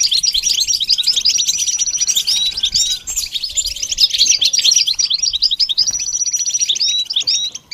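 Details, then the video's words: Goldfinch singing, recorded for training young goldfinches to sing: a dense, fast stream of bright twittering, chattering notes, with short tinkling trills and a few clear whistled tones running continuously throughout. "The basics of training the goldfinch to sing"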